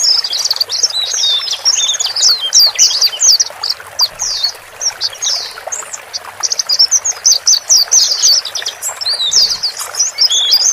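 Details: White-eyes, male and female, used to calm a newly bought caged bird so it adapts quickly: a continuous chorus of high, sharp chirps and trilled notes, many birds calling at once, with a faint trickling sound beneath.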